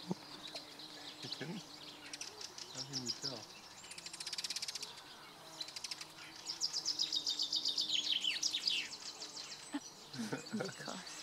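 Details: Male white wagtail in a breeding display in Zurich gives rapid, high, twittering chirps and sharp slurred notes in quick bursts, with a brief human voice and faint background noise.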